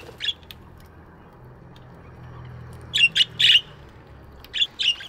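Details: Budgerigars in an aviary in the morning, a single chirp, then a bunched series of squawky chirps and two more near the end, over a low steady hum.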